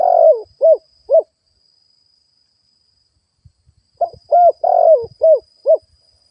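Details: Spotted dove used as a lure bird, cooing to stimulate other doves: two bursts of low, mellow hooting coos, each a longer slurred note followed by shorter clipped ones, separated by a quiet gap, with a faint steady high whine behind.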